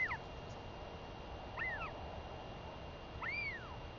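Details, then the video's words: Royal albatross chick, a female, begging her returning mother for food on 23 May 2021 after a week apart; three clear arched whistles that rise and fall, spaced about 1.5 seconds apart, over steady wind-like background noise. "Royal Albatross ~ Beautiful LGL Comes Home & Gives A Good Feeding To A Very Vocal Tiaki!"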